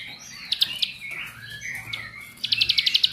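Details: A bar-winged prinia of the rice-field type, used as a lure to make other prinias sing, gives high, thin whistled notes and sliding phrases, ending in a fast run of sharp, repeated chips about eight per second.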